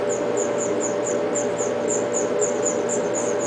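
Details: Five house finch nestlings in a backyard nest, being fed by a parent in spring or summer, give rapid, thin, very high squeaks about three a second, over a steady low hum and background noise.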